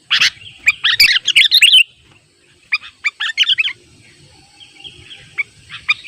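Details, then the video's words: Sooty-headed bulbul (kutilang) calling to rivals, in the wild, used with a simple trap; bursts of bright chirpy notes in two clusters, the second after a short pause, with more chirps toward the end. "Suara Burung KUTILANG GACOR manggil lawan"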